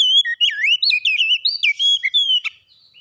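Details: Oriental magpie-robin (kacer) singing energetically, a continuous stream of varied clear whistles, slurred upward and downward notes and quick trills, loud and rich, tailing off after about two and a half seconds.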